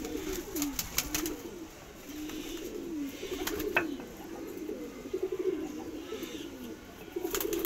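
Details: Cooing from a Madrasi pigeon, a kept domestic breed: deep, burbling coos in uneven bursts, swelling and fading, with several sharp clicks and knocks in between.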